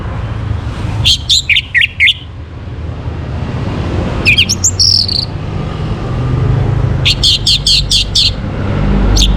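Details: Orange-headed thrush (anis merah) in a morning recording used to stir birds into breeding condition and lively singing; short bursts of rapid, high, chirpy notes come in three clusters, over a steady low rumble.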